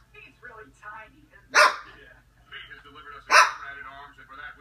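An umbrella cockatoo gives two loud, harsh, dog-like barks, with a person talking between them.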